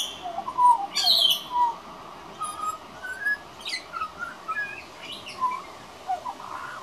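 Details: Juvenile pied butcherbird, a regular visitor, practising its singing: clear fluted whistles that rise and fall, mixed with short harsh high bursts and scratchy notes, delivered in irregular phrases.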